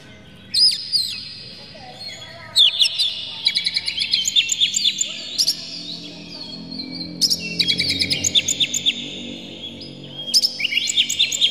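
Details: Agitated Oriental magpie-robin with tail spread, its full, clear, rough song meant to make other magpie-robins sing. Loud sharp whistles open the phrases, then rapid repeated chattering trills follow in several bursts.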